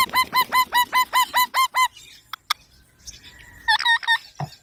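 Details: Chirping from a green baby parrot: a rapid run of about nine evenly spaced, nasal, harmonic calls, then a quiet gap with faint clicks and a brief final burst of similar calls.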